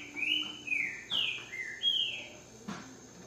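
Green-winged saltator singing a rich series of five clear, slurred whistles that dip and fall in pitch, delivered quickly over about three seconds with a faint hum underneath.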